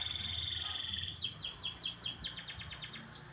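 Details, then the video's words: Morning canary song opening with a steady high whistled tone, then breaking into a fast trill of descending chirps, roughly two to three notes per second, with faint low rumble behind. "kicauan burung kenari"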